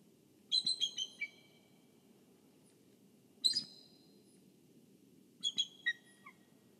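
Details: At a Kisatchie National Forest nest camera, a bald eagle guarding the egg and nest gives three bursts of high, squeaky, stuttered piping notes about two and a half seconds apart, each a rapid run of thin whistles over low background hum.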